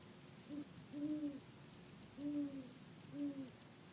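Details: Male great horned owl at Palos Verdes over Labor Day weekend 2013, giving a series of deep, low hoots: a short note, a longer held hoot, then two more spaced about a second apart, over quiet background hiss.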